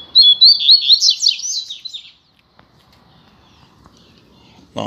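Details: Caged rusty-collared seedeater pair set out on the street; one bird delivers a fast, tumbling sequence of sweet slurred whistles for about two seconds, then quiet with a sharp knock at the end.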